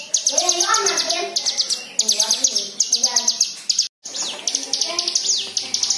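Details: White-eye song used as a lure to prompt other white-eyes to sing, mixed with varied fill phrases: dense runs of high, sharp chirps repeated rapidly, with lower wavering whistled notes beneath and a brief break near the middle.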